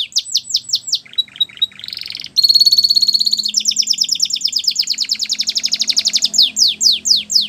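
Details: Canary song meant to train young canaries: a run of falling chirps, brief whistled notes, a buzzy burst, then a loud fast rolling trill ending in spaced downward sweeps; faint low hum behind.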